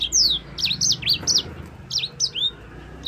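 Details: Sanger (yellow-fronted canary) in energetic song for tutoring songbirds: high sweeping downslurred and zigzag whistles repeated in quick succession, loud and clear over a low background rumble.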